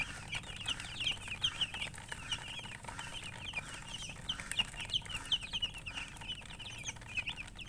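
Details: Young chicks chirping continuously, a dense run of thin high peeps repeated several times a second, softer toward the end, over a low steady background hum.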